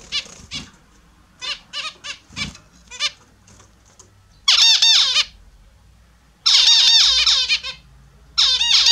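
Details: Australian zebra finches kept indoors, bathing in the morning: scattered short nasal beeps, then long loud runs of rapid harsh trumpeting calls in three bursts.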